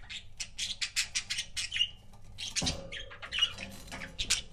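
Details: Budgie couples kept as pets give quick runs of harsh chirps and clicks, about one burst every second or two, with a soft thump midway.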